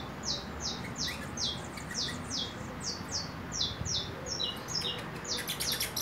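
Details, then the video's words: Young saffron finch, four months old and entering its first moult, practising song: a series of crisp, high, falling chirps spaced about three per second, ending in a denser burst of sharp ticking notes. "CANARIO DA TERRA Querendo estalar"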